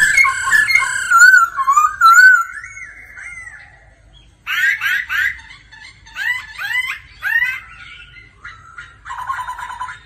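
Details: Laughingthrush practising its song daily with a female: a run of clear, slurred whistles, then a pause, then several loud bursts of harsh, rattling chatter, ending in a lower buzzy note.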